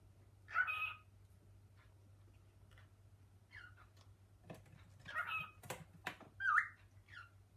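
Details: Pet male cockatiel indoors, climbing kitchen cupboards with its female companion, calling to its mate with learned spoken-word phrases; a few short harmonic chirped calls with background clatter and a steady low hum.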